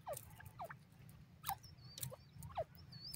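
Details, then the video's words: Francolin alarm calls in a forest as the bird is disturbed: brief downward-sliding notes roughly every half second, with thin high whistles from another bird and faint rustling behind. "partridge disturbed in the forest,francolin bird disturb"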